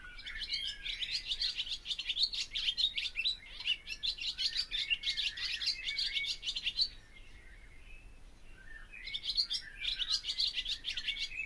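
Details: Barn swallow singing a fast twittering warble of chirps and squeaky notes, pausing about two seconds before resuming the chatter.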